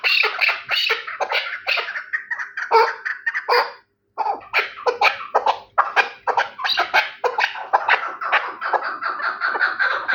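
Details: A chukar partridge of the Terali type keeps up a long, excited series of raspy chuck and chukar notes, briefly pausing midway before resuming rapid, uneven bursts.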